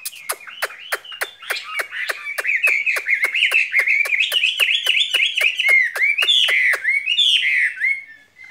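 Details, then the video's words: Caged skylark singing a springtime song: a fast run of sharp clicking ticks, about three per second, woven into a continuous high warbling twitter that rises slightly through the phrase. "Chim quý ở lồng son ca bản tình ca mùa xuân"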